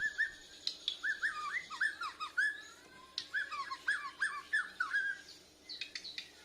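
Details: Young Bornean white-rumped shama learning its song, responding to a lure recording, chest feathers raised; short looping whistles in clusters of three or four, with brief pauses and a thin steady high tone throughout.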